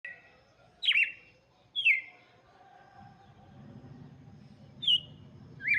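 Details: Red-cowled cardinal song for chicks: a few bright, slurred whistled phrases dropping in pitch, spaced irregularly with quiet gaps, over a faint low background hum.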